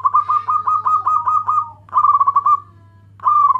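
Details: Loud local zebra dove calling to its companions, used to lure other doves: fast pulsed cooing trills in long runs, a pause, then shorter bursts, clear over a low electrical hum.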